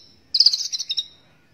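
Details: Brief burst of white-rumped shama song, recorded as training material for other birds: a high buzzy trill of quick notes lasting under a second.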